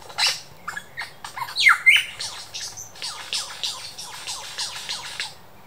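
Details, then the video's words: Superb lyrebird at the Dandenong Ranges Botanic Gardens giving a rendition of local birds plus laser-gun and camera-shutter sounds: a rapid, varied run of sharp chirps, squawky notes and a bright swooping whistle, roughly four notes a second. "Lyrebird the master mimicker"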